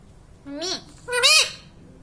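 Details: Talking pet parrot repeating "mummy papa": two separate grating syllables, each sliding up then down in pitch, the second stronger, against a low hum indoors.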